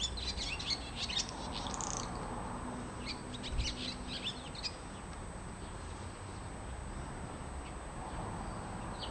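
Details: Swallow visiting a home garden, giving short, high chirps in scattered bursts, some clustered around the second mark and again between three and five seconds, over a steady background hiss.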